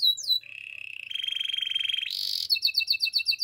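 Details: Russian canary song with a few high swooping notes, a long rapid buzzy roll, a harsh hissing burst, then quick repeated chirps in a tight rhythm.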